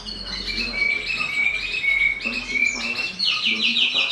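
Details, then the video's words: Bird delivering a steady, sustained high whistled trill with buzzy overtones, ending in a rapid pulsed rattle, alongside a faint low murmur. "Suara burung berkicau."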